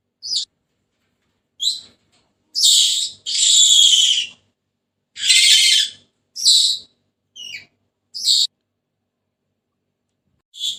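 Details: Senegal parrot giving a scattered series of calls: brief sharp chips mixed with longer harsh grating squawks, about ten calls across eleven seconds with quiet gaps between.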